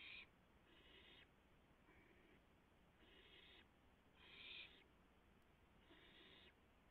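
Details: Owls at the nest as a rabbit arrives at 3:38 AM, April 7, 2016, eaten in turn by three owls. Fairly quiet, harsh hissing bursts of about half a second recur irregularly, one louder near the middle, above steady low noise.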